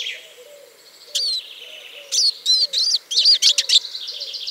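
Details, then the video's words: Eurasian siskin (Spinus spinus) song: a drawn-out wheezy note, then quick high twittering and chirps in bursts, with a soft, low, repeated cooing faintly underneath. "O canto do Lugre (Spinus spinus)"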